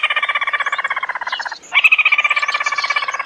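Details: Red-eyed bird call used as a lure recording: a fast, harsh rattling series of pulses, about a dozen per second. It breaks off briefly after roughly one and a half seconds, then restarts just as loud.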